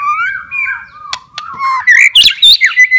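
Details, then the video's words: White-rumped shama singing in captivity, a song played to prompt silent or stressed shamas to sing again: sliding whistles low then rising into loud, dense squeaky flourishes with abrupt clicks. "MURAI BATU MALAS BUNYI,, STRES,, DENGARKAN OCEHAN INI,, PASTI GACOR LAGI"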